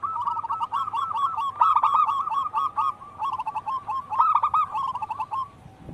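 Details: Local wild zebra doves singing vigorously: long streams of rapid, rhythmic cooing notes that rise in loudness and overlap, forming a dense rolling chorus with few breaks.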